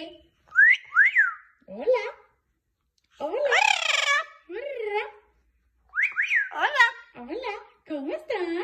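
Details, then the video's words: Amazon parrot kept as a pet, crying after being bathed indoors: bursts of wavering, harmonic wails and squawks that bend up and down, grouped in short runs with brief silent gaps. "Loro llorando porque lo bañaron"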